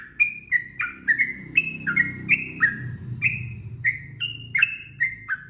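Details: A sooty-headed bulbul's 'ropel' song, used to train cage birds: crisp, downward-slurred whistled notes in quick succession over a steady low rumbling background noise.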